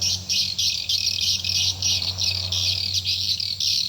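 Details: Call for attracting swiftlets to a nest building: loud, packed high chirps pulsing roughly three times a second without gaps, with a faint low hum beneath.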